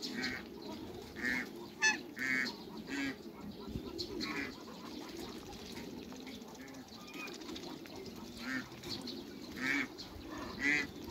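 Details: Meeting of hybrid Cayuga and female Muscovy ducks: scattered short hoarse calls come every second or so, with brief clattering sounds between them.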